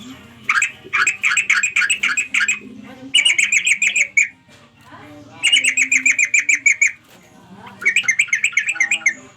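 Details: Sooty-headed bulbul calling its companions, giving bursts of rapid chattering notes, each string lasting roughly two seconds and separated by brief pauses, with a faint low hum underneath.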